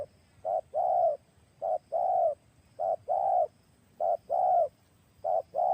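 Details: A strong-voiced decoy spotted dove is used to lure wild spotted doves. It gives clear, low, mellow coos in repeated phrases: a short note followed by a longer, drawn-out coo, about five phrases in six seconds, against a quiet background.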